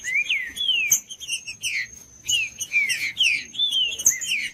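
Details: Green-winged saltator song used for warming up a cold bird: clear whistled phrases of rising-then-falling slurred notes, repeated in quick groups with brief gaps, a steady high tone and low hum behind.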